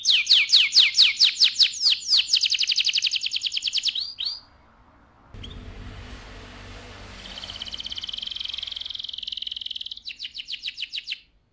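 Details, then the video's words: Kenari AF canary in loud 'ngerol' rolling song: rapid high repeated chirps flow into a sweeping trill, then a pause with low rumbling background noise, followed by a long, steady, slightly buzzy high trill that ends in chirps. "KENARI AF GACOR, NGEROL VOLUME KERAS"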